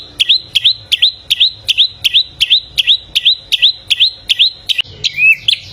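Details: Bare-throated whistler, known locally as golden samyong, from Flores in Indonesia, repeating a sharp upward-flicking whistle about two and a half times per second, then ending on a different, lower slurred note.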